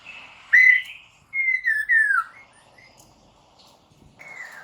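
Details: Lure song of a white-crested laughingthrush (Mandarin poksay) meant to make caged birds answer at once; clear whistled phrases, a strong rising-falling note then a run of three descending slurred whistles, with a last fainter whistle.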